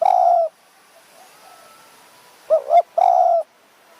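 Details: A small-voiced wild spotted dove near Thong Pha Phum mountains, Kanchanaburi, on an evening around 4 pm, is lured by a decoy. It wing-glides and chases rivals, giving soft, low hollow coos: a half-second note, a short double note, then a longer coo.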